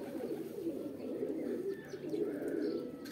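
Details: Low, rolling pigeon coos in a mating call, several birds overlapping in an even chorus, with soft chirps and light clicks higher up.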